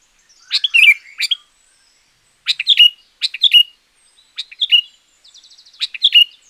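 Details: Chattering, bubbly phrases from a champion sooty-headed bulbul, used to train quiet caged bulbuls or attract wild ones. Clusters of three or four quick notes repeat after short pauses, with a fast trill toward the end.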